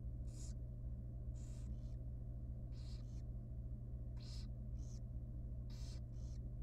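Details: Small wild barn owl chick at feeding time in a monitored nest box, repeating rasping hiss-like screeches, often in close pairs, roughly every one and a half seconds, over a steady low hum.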